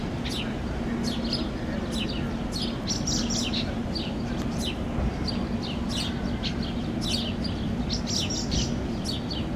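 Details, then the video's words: House sparrow young, recently fledged, flutter wings and beg from a feeding parent on grass in Finland in June 2013, calling with insistent bursts of high thin chirps against continuous low traffic hum. "Interaction between House Sparrow fledglings and parent"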